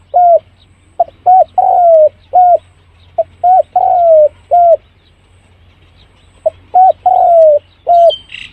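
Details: Spotted dove calling as a lure for wild doves: a rhythmic series of short and long hollow coos in repeated phrases, the longer notes gently falling, with a brief high chirp near the end.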